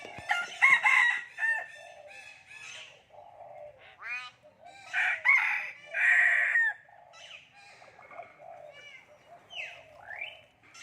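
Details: Common hill myna talking in human language: repeated harsh, voice-like syllables in uneven bursts, several loud drawn-out words, interspersed whistled slurs and a rising squeal near the end.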